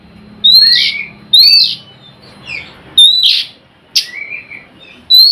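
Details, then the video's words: Oriental magpie-robin giving a 'nyrecet' lure call meant to prompt other magpie-robins to sing: bright slurred whistles paired with short harsh rasping bursts, repeated roughly every one to one and a half seconds, with quiet gaps between. "Suara Kacer Nyrecet Pancingan Kacer bisu agar mau bunyi gacorr"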